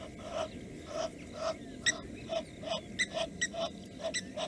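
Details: A blacksmith lapwing disturbing ducks on a pond gives sharp, metallic clinking notes, about twice a second among lower, softer calls, over steady rushing noise; Nkorho, Africa, 22 September 2022.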